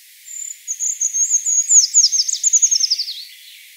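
Eurasian treecreeper song: a thin, very high trill of rapid notes that starts as a level thread, then tumbles down in a fast jingling flourish.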